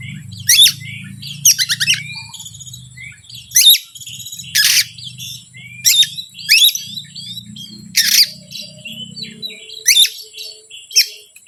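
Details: Oriental magpie-robin lure song meant to agitate other birds, with sharp buzzy chatter bursts repeated about once a second, interspersed with high whistled notes and brief trills, and a faint low hum in the first part.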